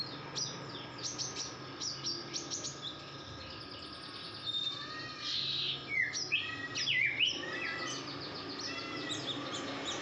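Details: Female red-whiskered bulbul in breeding condition, calling actively: scattered sharp chirps and short whistled notes, some sliding downward, coming irregularly in loose bursts over a steady background hiss.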